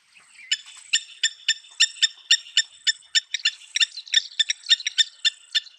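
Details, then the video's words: Blacksmith Lapwing (Vanellus armatus) at Naivasha Country Club, Kenya, gives sharp, metallic 'tink' notes like a hammer striking an anvil, about twenty in a quick, uneven series over five seconds. "Blacksmith Lapwing Calling"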